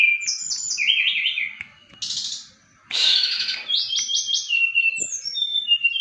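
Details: Bali brown-chested jungle flycatcher (srdc) singing energetically. Quick trilled whistles, a harsh buzzy rasp, rapid repeated chirps and high thin whistled notes, with one short gap early on.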